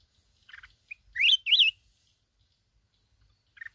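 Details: Red-whiskered bulbul from the mountains of Bình Thuận, Vietnam, a freshly trapped wild bird, gives a couple of short chirps and then two loud, swooping whistled notes, with a brief chirp closing the phrase.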